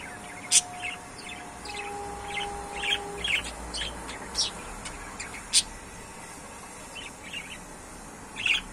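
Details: Pet budgerigars chirping and twittering irregularly with sharp, high squeaky notes, while two steady pure tones at different pitches sound briefly early on.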